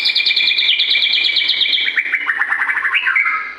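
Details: White-rumped shama song, used in the morning as training material to stir captive birds into singing: a fast, loud buzzy trill held high for two seconds, then dropping into a rapid chattering run and a final whistled upslur.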